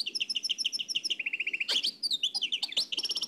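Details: Trained nightingale, Oued El Alleug song style, from an old cassette: a rhythmic string of clear repeated notes about four per second, dropping to a lower run, then clicks and mixed bright chirps.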